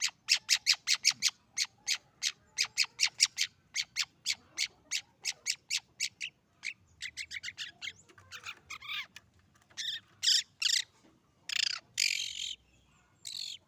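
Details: A juvenile long-tailed shrike practising its still-unformed song. It opens with a fast run of sharp, scratchy clicks, nearly three per second, slows into chattering notes, then breaks into longer harsh, buzzy phrases near the end.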